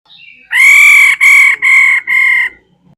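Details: Female laughingthrush calling: a faint short rising note, then four loud harsh nasal drawn-out notes, each about half a second, delivered in quick even succession.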